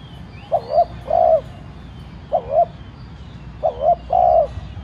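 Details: Decoy spotted dove cooing to provoke others: paired short rising notes and a longer coo, repeated three times in quick succession, over a soft low background hum.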